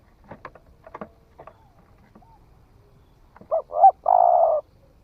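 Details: Spotted dove, a bird newly begun calling and tried in the forest; scattered faint clicks and taps precede a single low coo at the end, a short note, a doubled note, then a drawn-out hoot.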